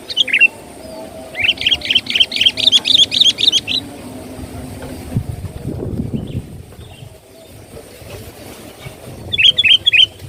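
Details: Sooty-headed bulbul sound used as a bird-catching lure: a rapid, even run of sharp chattering notes for about two seconds, then quiet with a low rumbling swell, ending with a short burst of quick notes.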